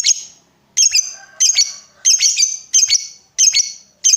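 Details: Lovebird chirping, used as a prompt to get other lovebirds singing long ngekek trills: loud, harsh, high squeaks in pairs or short clusters, repeated roughly every two-thirds of a second.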